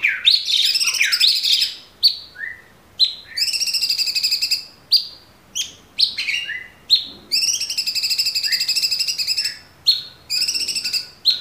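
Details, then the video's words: High, vigorous tembakan song from a caged Orange-bellied Leafbird, recorded to train cage birds: rich fluty warbles, fast buzzy trills and slurred downward whistles in phrases of one to two seconds, with short pauses. "Tembakan Cucak Cungkok super gacor"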